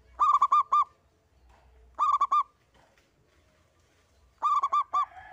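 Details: Local zebra dove, a single songbird kept for luring others to sing, giving three bursts of about four quick hooting notes each, roughly two seconds apart, with a quiet low rumble beneath.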